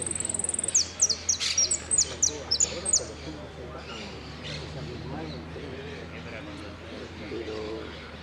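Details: Saffron finch singing in the style known as "El Cristalino", with prio, golpe and pitadas phrases: a run of sharp, high, clipped notes for about three seconds, then the bird falls silent while a person talks over a low hum.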